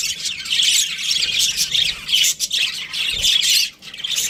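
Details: Australian budgerigars, a breeding pair, chattering with continuous high, scratchy chirps and warbles, with brief pauses between bursts.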